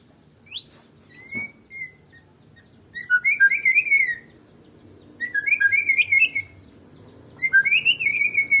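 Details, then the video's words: White-rumped shama of the Medan type, singing alone without a rival: a faint high note, then three bursts of rich, slurred whistled phrases with fluttering trills, separated by short pauses. "KICAUAN BURUNG MURAI BATU MEDAN TANPA LAWAN"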